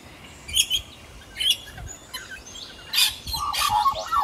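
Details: An Australian magpie perched in the sun sings in short bursts, scratchy high chatters followed by a run of lower, fluted warbling notes near the end.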